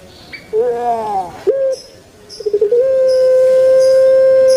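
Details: Kept puter pelung dove from Indonesia giving its long thick 'kwok' voice: a bent, wavering coo, a brief note, then quick stuttering pulses running into one long, steady, level hooting note held for about two seconds.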